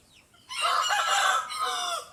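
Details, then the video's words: Rooster crowing in competition, answering other roosters: a loud, harsh cock-a-doodle-doo lasting about one and a half seconds, strongest in the middle and trailing off. "The Rooster is Crowing, Calling, Competing, Making Sound, Cock-a-doodle-doo"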